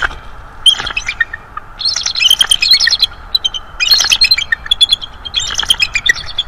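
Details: Young bald eagle, 3–4 years of age, visiting a nest in December 2022, calls in repeated runs of thin, high chattering whistles, the notes clustered into rapid squeaky phrases with brief gaps.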